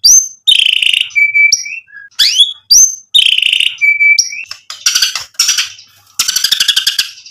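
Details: White-rumped shama singing to provoke rival birds: rising whistles, buzzy trills and a level whistled note repeated twice, then harsher chattering phrases.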